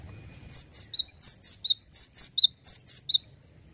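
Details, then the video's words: Lively male cinereous tit delivering 'gacor ngeplonk' song: about a dozen bright, high, slurred two-note phrases repeated evenly over nearly three seconds, with only a faint low hum behind. "GELATIK BATU JANTAN LAGI ONFIRE...GACOR NGEPLONK"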